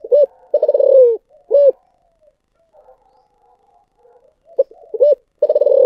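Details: Spotted dove cooing in the style locally called 'giọng thổ sấm': short hollow hoots and long purring, slightly falling coos, with a quiet gap of soft murmurs before the phrase repeats.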